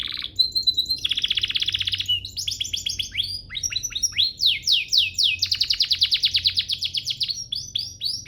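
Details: Canary master song meant to get canaries singing: a whistled note, a dense buzzy roll, then quick sweeping notes and a long fast trill, energetic and varied.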